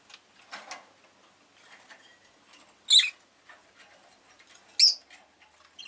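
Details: Rosy-faced lovebird calling with two loud, piercing chirps nearly two seconds apart, with quieter scratchy sounds and light rustling between them.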